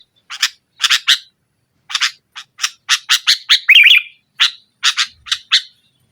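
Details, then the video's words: Sooty-headed bulbul in energetic 'nggaruda' style song, meant to press a rival and lure a silent bulbul into singing: sharp harsh chips in pairs, then a quick run ending in a gurgling, rising-and-falling warble before more chips. "Suara Burung Kutilang Gacor Menekan Lawan NGGARUDA, Pancingan Kutilang Mogok"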